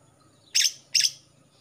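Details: Young male greater green leafbird from Kalimantan, past the spotted stage, black showing on the front of the neck, singing freely. Two harsh, buzzy chips spaced about 0.4 seconds apart in otherwise quiet surroundings.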